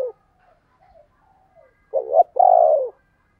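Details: Spotted dove calling, thúc and gáy gọi style: soft faint notes drift by before a clear pair, a quavering coo and then a drawn-out descending coo.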